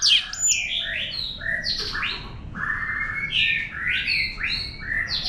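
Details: White-rumped shama singing a wild-type song meant to stimulate other birds: rich, fast phrases of rising and falling whistles and slurred notes, mostly high-pitched, delivered almost without pause over a faint low background hum.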